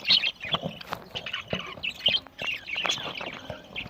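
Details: Budgerigars chattering while they eat, Larkana, Sindh, November 1, 2023: bright rapid chirps and scratchy warbled notes pour out almost without pause from several birds at once.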